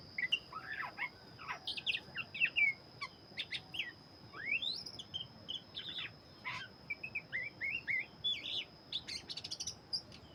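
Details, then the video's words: Vigorous song of a black-breasted Oriental magpie-robin: rapid clusters of sharp chirps and clear upslurred whistles, one long rising sweep near the middle, delivered in quick bursts over a constant high-pitched hum. "burung Kacer dada hitam gacor"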